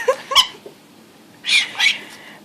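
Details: A pet monk parakeet gives two bursts of harsh, grating squawks, the angry cries of a bird attacking its hated least-favourite toy, a squeaking pink elephant.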